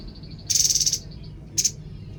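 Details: Babbler song: a rapid burst of about nine high, bright trilled notes lasting half a second, then a shorter two-note flourish. A faint sustained high tone runs underneath, with low background hum.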